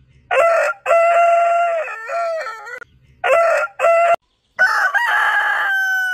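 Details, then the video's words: Crowing rooster, one of many heritage chicken breeds in a compilation: a strong harmonic crow with a long sustained middle and wavering ending, then a second crow with clipped opening syllables and a held final note. "Chicken Crowing"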